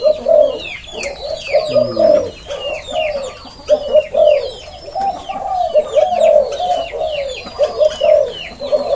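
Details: Breeding male Spotted Dove in a breeding cage, cooing steadily: soft, low hollow coos repeated in a rolling series for the whole stretch, with thin, high chirps from other birds scattered over the top.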